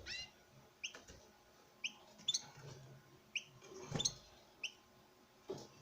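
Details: Courting male European goldfinch before a female in a breeding cage: sparse, short, high chirps spaced a second or so apart, with occasional clicks and knocks.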